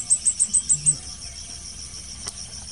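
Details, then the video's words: Blue-crowned hanging parrot at a luring setup for trapping: six shrill, high thin notes in a quick regular burst at the start, then only the continuous high insect buzz and a single faint click. "Memikat Serindit"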